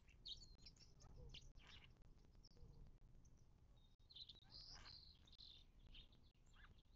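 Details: Several birds at a desert watering hole in California's western Mojave, close to Joshua Tree National Park, in March 2024. Soft, scattered high chirps and brief trills come from a distance over a low, steady background hiss.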